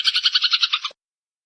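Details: Eurasian tree sparrow song used as a training recording for songbirds, a varied style for competition quality. Rapid run of about ten bright, buzzy chirps in under a second, then it cuts off into silence.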